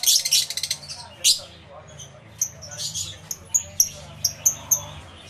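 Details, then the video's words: Numerous lovebirds in an aviary, camera-recorded through two external microphones; a rapid burst of shrill chatter opens, followed by scattered thin, high squeaks and short whistled chirps spaced irregularly. "1 Hour Lovebird Sounds Aviary Series V1"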